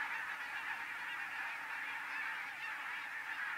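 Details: Huge migrating flock of Arctic barnacle geese resting near a Finnish home, a steady wall of overlapping high yelping honks from countless birds, unbroken and even in volume throughout.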